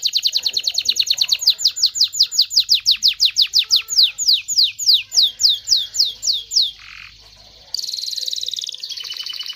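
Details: Excited male canary singing to stimulate males and females to mate: a long series of quick, sharply falling notes, about four each second, then a short pause and a dense buzzy trill.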